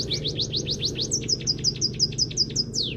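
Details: Scaly-breasted munia (emprit kaji) training song filled with canary phrases: a run of quick, high, downward-sweeping whistled notes, then a steadier series of short clipped chirps ending in one long falling slur, over a constant low hum.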